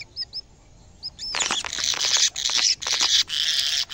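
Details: A canary in its cage, reacting to a camera it sees for the first time, gives a few short upslurred whistles, then breaks into a loud, dense, rolling trill that runs almost without pause.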